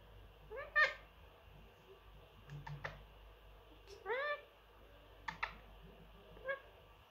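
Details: Indoor pet Indian ringneck parrot, a three-year-old male that mimics words and sounds. Short, upward-sweeping harmonic utterances and sharp clicks, some alternating with a person making kiss sounds and calling to the bird.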